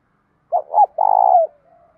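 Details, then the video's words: Cooing of a spotted dove whose voice mixes the 'đồng' style with a little 'thổ', used to stir other doves into calling: a quick double hoot followed by one drawn-out, throbbing coo that falls away at its close. "cu gáy thúc dút cực chuẩn, giọng đồng pha tí thổ"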